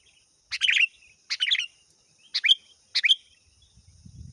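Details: Sooty-headed bulbul calling to lure a rival, four quick bubbly phrases of two or three chirping notes each, evenly spaced, with a faint low rumble at the close.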